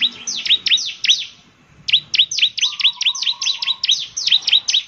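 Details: ['Bar-winged prinia in lively gacor song, meant to make other prinias answer: rapid series of sharp, high chirps with downward sweeps, a short pause after a second, then a longer run; a faint low steady tone beneath.']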